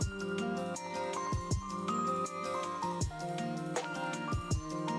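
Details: Instrumental music with plucked and struck tones in repeating, stepping melodic phrases over sustained low notes, with no animal voices heard.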